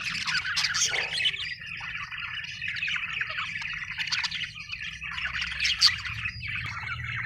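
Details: Happy budgerigars chirping: a steady mix of short twittering notes and scratchy warbles, quieter overall, with a soft low hum underneath throughout.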